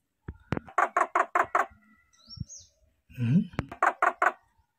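A common myna gives two quick bursts of four or five harsh, wailing notes, like a baby crying, with a brief human voice between them.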